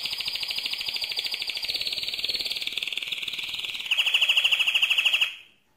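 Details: Mosaic canary singing loudly: one long continuous rolling trill, rapid and buzzy, holding high before shifting to a slightly lower, sharper pulsed roll that stops abruptly.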